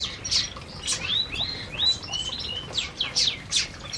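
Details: Canaries eating together in an aviary: quick high-pitched chirps mixed with short whistled notes that rise and fall, forming a steady stream of twittering.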